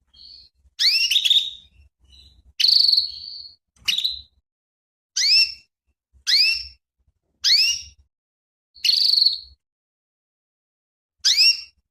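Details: Female canary calling to stimulate a male: clean, bright chirped notes that sweep upward and then fall, repeated about every one to one and a half seconds, with a few longer buzzy notes between them. No other sounds are heard.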